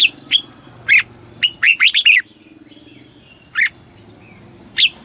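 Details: Red-whiskered bulbul from Thailand, southern master-style song meant to teach young birds and stir caged ones: scattered bright whistles, then a quick cluster of five rolling notes, followed by quieter isolated calls.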